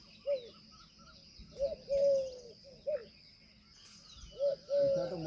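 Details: Indian peafowl calls in short bursts: brief rising notes and a sustained level wail, three groupings separated by pauses, backed by constant high twittering of other birds.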